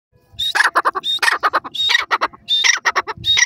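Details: A francolin (dakne teetar) gives loud, harsh, rasping notes in quick bursts of four to five, with thin high whistles between the bursts.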